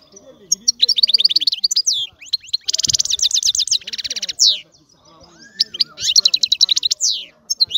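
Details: European goldfinch singing: fast liquid twittering phrases of high tinkling notes, rapid buzzy trills and sweeping slurred whistles, broken by short pauses.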